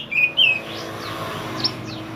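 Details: Pied triller (mantenan) chirping, a recording for teaching songbirds: two loud short whistled notes, the second dropping in pitch, then faint high sweeping chirps.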